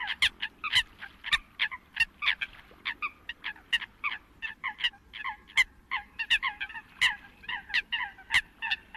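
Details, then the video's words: Migration-season Eurasian coots giving rapid runs of short, clipped, nasal calls that chatter steadily for the whole stretch, several birds overlapping, over a faint low rumble. "Tiếng Sâm Cầm mới nhất cho mùa mới chim di cư"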